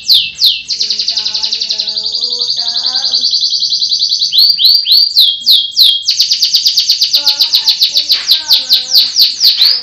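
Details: Russian-type canary kept in Pemalang, Central Java, Indonesia, in loud continuous song: long buzzy high rolls, rapid pulsed trills and sweeping downslurred notes alternating, with fainter lower tones beneath.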